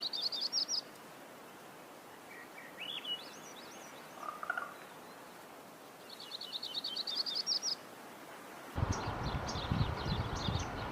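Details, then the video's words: Crowned warbler singing: high, rapid trills of repeated notes in short bursts, with some lower, slurred and rising phrases between them. A steady broadband rushing noise takes over near the end. "Reinita Coronada"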